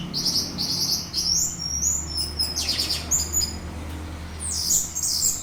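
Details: Orange-headed thrush singing as a lure to provoke a rival into teler song: bright, high chirps and slurred whistles in quick irregular bursts, ending with a louder cluster of tangled notes, low steady hum underneath.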